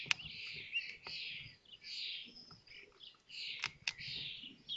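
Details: Common kestrel chicks at a nest in Théding, France, on 19 May 2024, while the fifth chick hatches and the others are fed; harsh, wavering high calls in overlapping bursts with sharp clicks and faint low rustling.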